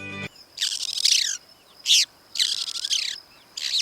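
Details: Long-tailed (Rufous-backed) Shrike, Sri Lanka, a vocal mimic: harsh scratchy chattering bursts with thin whistled notes between, four phrases over about three seconds; brief click opens clip.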